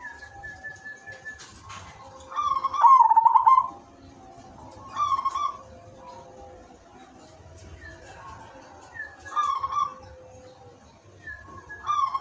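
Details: Silver zebra dove cooing, meant to prompt other zebra doves into calling: short rolling coo phrases about every two to three seconds, with softer whistled notes from other birds and light background noise in between.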